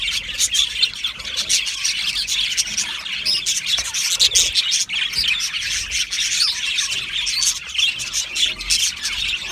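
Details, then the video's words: Colony of Australian budgerigars kept in an aviary, giving continuous overlapping high-pitched chirps, warbles and short squeaks, a busy unbroken chatter from numerous birds. "Australian Budgie parrot chirping sounds"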